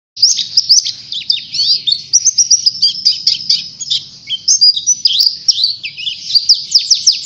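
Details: Oriental white-eye in lively full song, used as a lure to stir other birds: a dense, high, continuous twittering of rapid chirps and quick slurred notes, with a faint low hum underneath.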